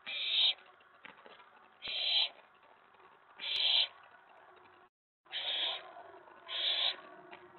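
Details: Owlet inside a nest box at night, excited after a mouse delivery as another owl arrives at the tray: harsh, breathy hissing screeches about half a second long, repeated irregularly every one to two seconds.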